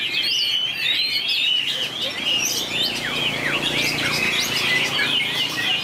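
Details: White-rumped shama singing against a rival in a contest, from 2019: loud, fluid whistled phrases with sweeping up-and-down slurs and sharp downward strokes, rich and continuous throughout.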